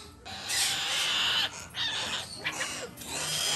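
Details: Hand-fed Major Mitchell's cockatoo chicks, a female and a male bred in Japan, giving loud hissing, raspy begging calls in long breathy bursts separated by short pauses.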